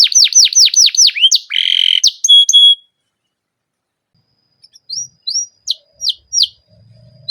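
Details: Canary singing long rolls, used as a lure to set other canaries singing: a run of fast, high downward-swept whistles, a brief buzzy burst and a sustained note, then a pause and a few scattered sharp notes.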